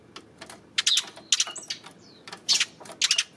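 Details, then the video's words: Eurasian tree sparrow on 28 May, with clusters of dry, clicking chirps in short bursts separated by brief quiet gaps, plus one thin falling note. "今日のスズメ 5月28日"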